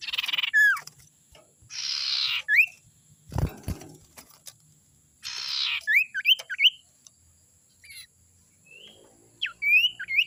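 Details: Young forest sirtu from the wild, played as a lure: harsh buzzy bursts alternate with short rising and falling whistled notes. A dull thump is heard near the middle.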